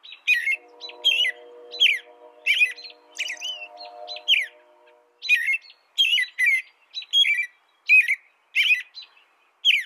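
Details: Song of an American robin, a string of clear caroling phrases, each a brief slurred whistle, repeated about every half second to second; a low steady hum fades out midway.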